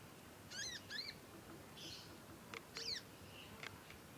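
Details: Young conin practising song: a quick pair of arched, harmonic chirps, then a softer breathy note and another chirp group, with light clicks, over low steady hiss.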